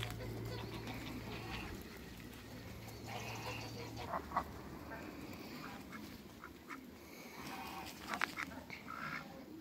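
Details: Pekin ducks, two males and one female, on a farm meeting other ducks; scattered raspy quacks in short bursts, with a low hum in the first half and faint background noise.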